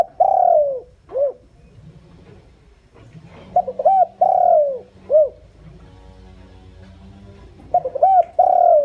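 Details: Decoy spotted dove calling to lure wild doves. The end of one phrase is followed by two more complete phrases: paired short notes, a drawn-out downward-sliding coo and a clipped arched note. A faint hum is present.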